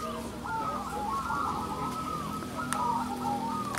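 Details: Zebra doves, local crossbred perkutut entered in a singing contest, giving soft, bubbling coos that overlap in a continuous chorus, with a low steady hum beneath and a sharp click near the end.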